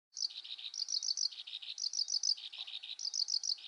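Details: Black-browed reed warbler singing at Wakka Primeval Flower Garden, Hokkaido, Japan, in June 2020. The song is a rapid, high, chattering run of short buzzy notes. Bright ticking phrases alternate with lower grating ones, roughly four to six notes per second throughout.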